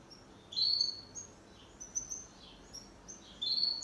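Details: Two pet canaries singing a duet in a quiet room: sharp, high, whistled chirps arrive in three brief bursts, the first and last the strongest, with soft sliding notes in between.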